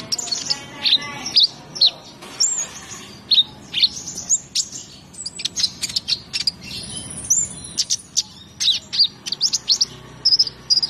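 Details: Energetic 'gacor' singing from a konin (brown-throated sunbird): dense series of piercing high chirps and quick descending slurs, some notes doubled, with a short sustained very high whistle midway.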